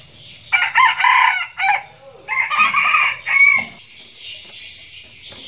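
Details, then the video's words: Crowing of a captive red junglefowl decoy cock used to provoke and lure wild roosters: two strident, broken crows, the second ending in a rising squeal, followed by a shrill insect buzz. "giọng gà rừng mồi gáy, giọng gà trống gáy kích mồi, kích bổi hay nhất năm, thổ, đồng, ực ờ"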